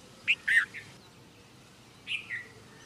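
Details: Red-vented bulbul, India: a quick burst of two or three harsh, chirpy notes, then a softer slurred pair of notes about a second and a half later over a faint background hiss.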